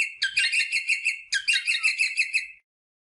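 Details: Rosella parrot voicing to stimulate mating: two long runs of fast, rhythmic chattering pulses, each rich and ringing, before falling silent.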